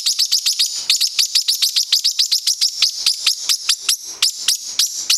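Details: A 9-week-old male pet parrotlet chasing another bird and calling loudly while wanting to play: a rapid run of sharp, high chirps repeated about twice a second, steady and shrill throughout.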